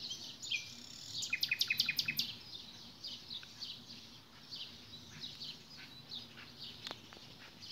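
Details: Nightingale singing a recital: an opening swept whistle, then a rapid burst of about six loud, repeated high notes, followed by quieter, varied chirps and short scattered phrases over a faint steady background hiss.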